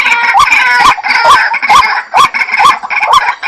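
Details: Jal murgi, the white-breasted waterhen, calling loudly in a regular series of clipped, upward-kinked notes spaced about half a second apart, each carrying a raspy, noisy edge.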